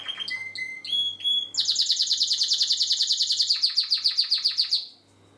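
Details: Spanish Timbrado canary singing, 2016: a few short clear whistled notes at different pitches, then a long fast rolling trill that drops slightly in pitch midway and fades out; faint steady hum underneath.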